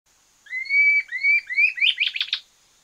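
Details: Red-billed Scythebill (Campylorhamphus trochilirostris) song: clear upslurred whistles that speed up into a quick run of sharper notes, over a faint steady high hiss.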